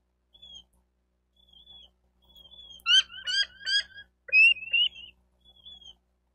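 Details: Bald eagles at a Florida nest in Miami-Dade County, 28 May 2023, late morning: soft high whistles build into a loud burst of rapid, harmonic, piping chatter, then fade back to single thin whistles.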